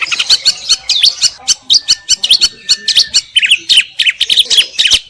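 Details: Greater green leafbird pouring out high, harsh, chattering notes in quick irregular bursts, roughly 43 per minute, with scratchy squawks and brief whistles woven through.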